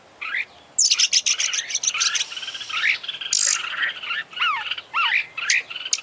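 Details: White-rumped shama, a competition-champion bird, singing a varied full song of rapid buzzy notes, sharp rising and falling whistles and dense chattering bursts, with no other clear sounds.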